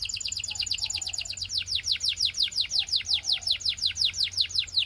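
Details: Belgian canary in song, meant to get other canaries singing: a long, even series of quick descending whistled notes repeated almost three per second throughout.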